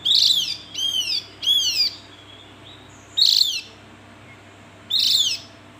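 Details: Javan grey-throated white-eye calling: a quick run of three grating, down-slurred notes, then two more isolated calls after a pause of over a second, with low humming behind.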